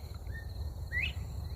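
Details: A Northern Bobwhite whistling in the morning just after sunrise from bushes under an old oak tree gives a clear two-part whistle, soft low then louder rising note; another answers about 100 yards away; insect drone and rumble underneath.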